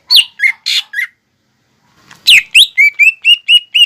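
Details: Greater green leafbird in full, energetic song, used as a lure song to stir young birds into singing. Four sharp, slurred whistled notes, a short pause, then a fast run of bright, clipped whistles that repeat steadily on one pitch.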